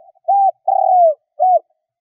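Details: Spotted dove kept as a decoy, cooing to lure wild birds. A single low, hollow phrase with a steady coo, a longer coo drooping at the end, and a short final coo, clean and free of other sounds.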